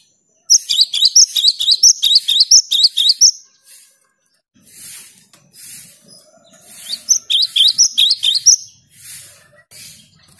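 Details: Cinereous tit in full active song, played to prompt silent tits into singing: two bursts of rapid, high, sharp chirped notes repeated in quick series, separated by a pause with soft lower sounds.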